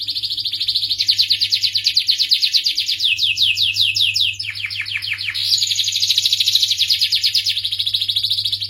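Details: Canary, starblue variety, singing varied high trills: rapid rolls, then a run of deeper downward-sweeping notes, then a bright sustained warbling trill.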